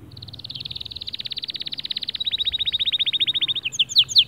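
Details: Male white canary singing to motivate other birds: a long, accelerating, rattling trill of evenly repeated notes that grows louder, shifting slightly lower midway, then breaks into a few sharp, high swooping notes.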